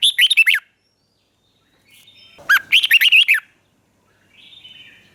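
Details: Caged red-whiskered bulbul song from Thailand, southern master style, played to stimulate birds and teach young ones: two bursts of rich, bubbling warbled notes dropping and rising, separated by a pause, with faint higher chatter between.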